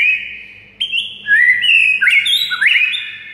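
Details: Training song of a white-rumped shama meant to excite a mute bird into song: long steady whistles that jump up, slide and climb in quick linked notes, over a soft low hum.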